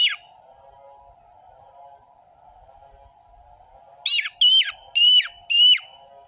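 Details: Orange-headed thrush in ngeplong song, recorded as a tutor for juveniles: after a quiet stretch with only a soft low hum, four loud ringing whistled phrases, each dropping sharply in pitch, come in rapid succession.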